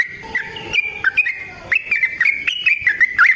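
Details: Yellow-vented bulbul fighting song used to lure other bulbuls into answering: liquid, warbling notes sliding up and down in quick uneven bursts over a low background murmur.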